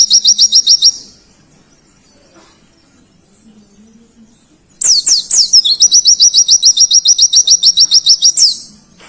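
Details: Oriental white-eye, called pleci dakun, singing loud, very high, sharply repeated notes in fast even trills: a brief burst, a pause of almost four seconds with a faint low hum, then a longer run of rapid slurred notes.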